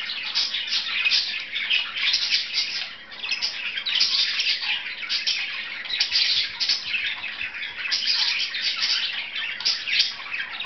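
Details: Playing pet budgies, two birds, keep up a constant high warbling chatter mixed with harsher squawks and quick tweets, swelling and dipping slightly in loudness.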